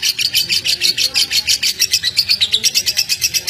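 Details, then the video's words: High, strident lovebird chattering played to arouse pet birds, a pulsing series of sharp chirps roughly two per second, steady and unbroken throughout. "BURUNG LOVEBIRD ANDA JADI KONSLET GARA GARA SUARA INI"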